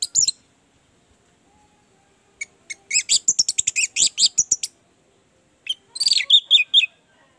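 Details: Orange-headed thrush lure song: sparse high notes, then a dense two-second run of rapid sharp chips, a pause, and a closing warbled phrase.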